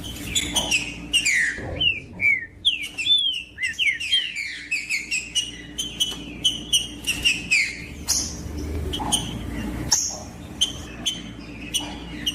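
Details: Green-winged saltator sings to warm up a bird: a long sequence of rapid whistled slurs and falling notes, densest in the first half, then sparser sharp notes, steady hum beneath.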